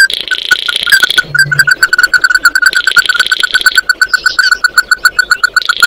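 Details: Oriental white-eye calling the flock with a dense, continuous series of sharp repeated chips, overlaid by repeated passages of harsh buzzy trilling.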